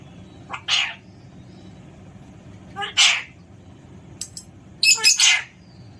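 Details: Pet Alexandrine parakeet being lively, uttering harsh broadband screeches in short bursts about two seconds apart, ending with a rapid cluster of three grating shrieks.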